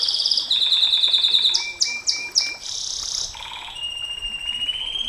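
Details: Canary in 'nembak panjang' style, sung as a lure for other canaries: fast high trills, a series of sharp upward-flicking notes, a dense buzzy roll, then a long level whistle, over a light hiss.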